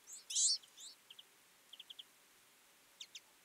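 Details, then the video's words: A loud burst of overlapping high chirps from a feeding twite flock in winter, followed by soft ticking notes in small runs of two to four. "Twite. Flock of birds in winter"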